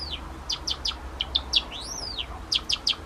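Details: Two male pet Java sparrows, sakura and salt-and-pepper colored, three and a half years old, sing their self-made songs, one a slightly higher variant. Series of sharp clicking notes around a long arching whistle, then more rapid clicks.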